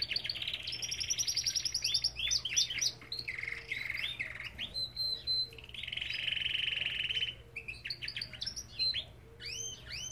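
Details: Belgian canary in an aviary singing a varied, loud song: buzzy rolling trills alternating with sharp chirps and looping whistled notes, a long harsh trill in the middle, low hum in background.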